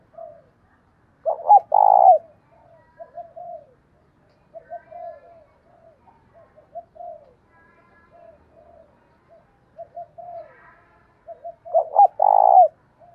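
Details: Spotted dove decoy in the standard 'thổ đồng' voice, cooing to call wild doves. Loud bursts of three or four hooting notes open and close a stretch of many soft, rolling low coos.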